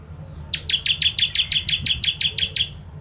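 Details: Bar-winged prinia, or ciblek, singing the 'kristal tembakan pedas' master song: after half a second of quiet, a tight series of about fourteen loud, crisp chirps in quick succession, with a soft low hum behind.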